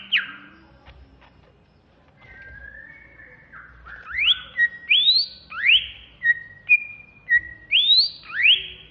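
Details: Agitated ngentrok song of a Banyuwangi greater green leafbird: after soft opening notes, loud whistles sweep sharply upward again and again, alternating with flat mid-pitched whistles in a lively, fairly regular rhythm.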